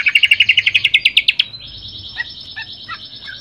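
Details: Greater green leafbird (Chloropsis sonnerati) song: a fast run of about fourteen bright chirps, then a thin, high sustained whistle with scattered lower notes beneath it.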